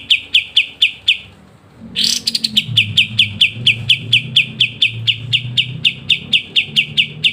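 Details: Kapas tembak singing a lively, crisp ngebren song used as a master for training songbirds: sharp high chips repeated rapidly and evenly, with a short burst of a buzzy rising trill partway through and a low hum underneath.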